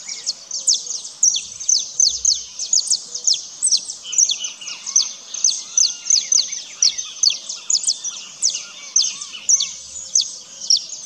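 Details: Ground-foraging saffron finch seeking seeds and insects, giving rapid bright chirps in an unbroken stream of short high notes, with brief rhythmic bursts roughly twice per second layered over a continuous high twittering.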